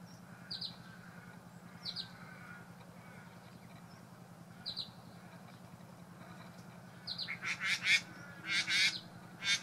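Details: Male satin bowerbird performing his courtship display at his decorated bower to a visiting female, including mimicry; short paired buzzy notes repeated about every 1.3 seconds, then louder harsh rasping bursts, over a steady low hum.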